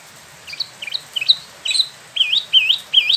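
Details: Spot-throated babbler, a caged bird in Bandung, West Java, imported from mainland China and Vietnam, recently moulted: loud wavering whistled phrases, looping up and down, repeated about every half second.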